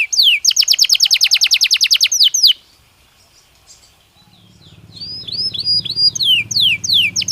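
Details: Belgian canary singing to train other canaries: a rapid loud trill for two seconds, a pause, then softer swooping whistles over a low background hum.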